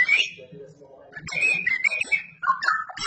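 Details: Straw-headed bulbul, known locally as cucak rowo, singing loudly and actively: rich, liquid whistled warbles that rise and fall, then gurgling notes and fresh bursts of melody, over a faint low hum.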